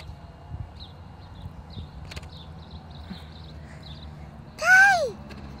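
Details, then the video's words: Crane from a huge migrating flock in flight, seen near a house: one loud, harmonic trumpeting call rising then falling near the end, after a quiet stretch with faint low rumble and scattered soft sounds. "Flock of cranes in flight"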